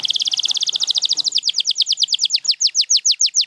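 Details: Champion canary singing, Gloster and Spanish Timbrado among the featured birds: a very rapid, dense trill of repeated notes that slows into a steady run of separate falling slurs.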